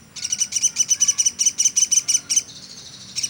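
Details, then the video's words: Platuk sampit woodpecker in a tutor recording for songbirds: a short quick series of bright, high chirps, then a faint trailing tone and one final note. "Burung Platuk sampit dasyat bunyi nonstop"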